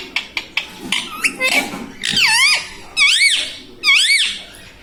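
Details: Indoor pet green ring-necked parrot repeating human words such as mummy; a few short clicks open, then strong wavering harmonic syllables, each rising and falling, repeated about once a second.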